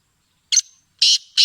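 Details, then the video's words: Black francolin calling: one short rasping note, then after a pause two loud, harsh, grating notes that fall off into a thin tail. "Black partridge Singing | Black Francolin Voice"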